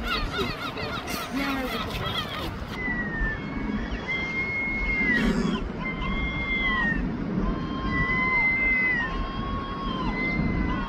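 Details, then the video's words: Duetting herring gulls in London give a short burst of harsh laughing notes, followed by a series of drawn-out, thin, mewing whistles, each about a second long, against a steady low rumble. "The Greatest Wildlife Duets Singing ( Herring gull )"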